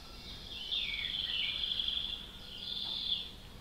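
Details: Nightingale song in a natural setting, with a sweeping whistled phrase that dips then rises, a brief rapid trill of repeated notes, and a closing slurred phrase, all high-pitched above a faint, constant hiss.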